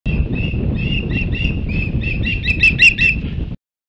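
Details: Osprey at Hog Island on 23 August 2016: a rapid series of short, clear whistled chirps, growing louder and sharper toward the end, over heavy low rumbling wind noise.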